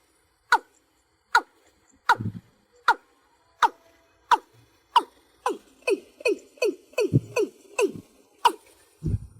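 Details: Watercock calling to gather its flock: sharp, clipped notes with falling tails, first spaced about once a second, then speeding into a fast run of calls near the end.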